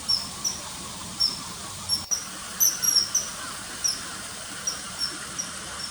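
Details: Common kingfisher along a river, early September 2020: sharp, thin whistled notes spaced irregularly, a cluster of quick notes near the middle, over a steady low hiss.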